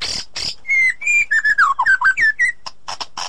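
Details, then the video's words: White-rumped shama song from edited audio for getting a silent bird singing: two harsh hisses, then a run of rich whistled notes bending up and down, ending in scratchy clicks. "Ocehan Murai Batu"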